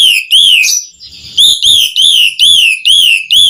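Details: Asian pied starling in gacor song. A rapid series of loud, clear whistles, each swelling up then dipping down, repeats roughly every half second with barely a break.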